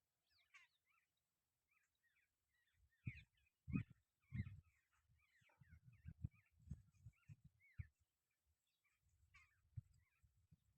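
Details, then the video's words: Jungle babblers give a run of harsh, squeaky chattering notes, several overlapping, with low thumps and rumbling noise throughout. "jungle bubbler call / chirping / sounds"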